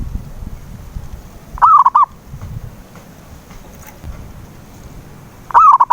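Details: Lure call of a zebra dove, played to coax a silent bird into singing: two short rolling coo phrases about four seconds apart, separated by quiet low rumbling background noise.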